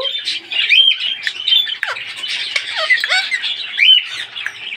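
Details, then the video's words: A pet green Indian ringneck parrot, coaxed by its owner to talk, keeps up a steady run of harsh squawky chatter with short whistled notes rising and falling quickly; it talked only a little. "Indian Ringneck Parrot talking"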